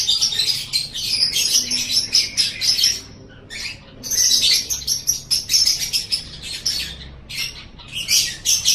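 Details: Lovebird song on a tutor recording for training pet lovebirds: long runs of rapid, shrill, high chattering chirps in dense bursts, broken by a short pause near the three-second mark, then resuming.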